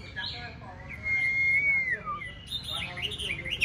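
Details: A caged white-rumped shama practicing for a singing competition. It holds a long, pure whistled note that slides downward, then breaks into quick high twittering phrases, with a steady low hum behind.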